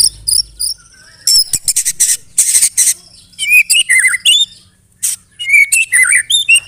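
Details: White-rumped shama, known as murai batu, singing a loud mimicking song with canary-like phrases and hard rattling notes: high whistles, bursts of harsh broadband chatter, then down-slurred whistled notes and twitters.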